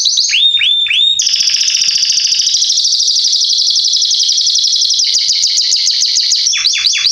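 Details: Belgian canary male singing loudly, a tutor song for teaching young birds; opens with looping upswept whistles, then a long fast rolling trill, then rapid repeated notes and a few downswept whistles at the end.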